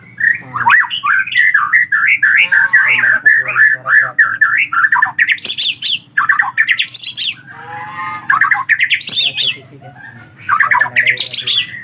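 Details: Collared kingfisher chicks begging persistently: long bouts of harsh, grating squawks in rapid wavering series, some sharper higher rasps, with brief pauses between bursts.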